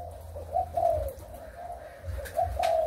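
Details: Spotted dove from Malaysian and Thai breeding birds, 23 August 2021, delivering a brief sequence of mellow coos, a short note then a longer swelling one, twice, against a low hum.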